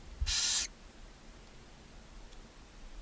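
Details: A single loud, breathy screech of about half a second from a barn owl family in a nest box beside a chimney in Ságvár, Hungary, May 4, 2024, mother feeding her seven owlets. Quiet low rumble follows.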